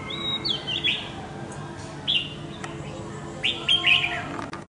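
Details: Escaped red-whiskered bulbul fighting a decoy bird at home; short sharp downslurred chirps come in three separate bursts, the last fuller and warbled, with clicks and a low background hum.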